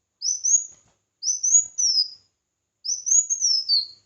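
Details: Red-whiskered bulbul in competitive singing: three clear whistled phrases, each rising quickly then slurring downward, separated by pauses of about a second, with no other sounds.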